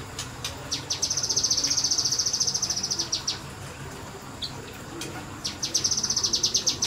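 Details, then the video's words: Semi-wild kinoi bird firing off a long rapid run of high, clipped notes for about two seconds, a gap with one faint chip, then another quick burst. "BURUNG KINOI NEMBAK NEMBAK DI SEMI ALAM"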